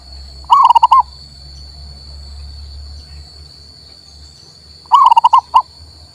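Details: Male local zebra dove song for encouraging a reluctant bird to sing: two brief phrases of quick bubbling coos, the second with a separate final note, about four seconds apart, with a continuous high-pitched hum in the background.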